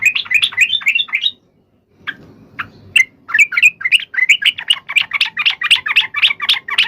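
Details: Long rolling fighting song of a yellow-vented bulbul, used to make other bulbuls answer at once: a quick chatter, a pause with low background hum, then scattered notes building into fast, steady, bright chirping.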